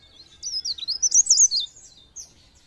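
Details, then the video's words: Pare pare bird in a short, clear, high song phrase used as a lure to stir other birds into singing: a rapid chain of loud, looping whistled notes, then a single late chirp. "Pancingan bunyi ampuh burung pare pare"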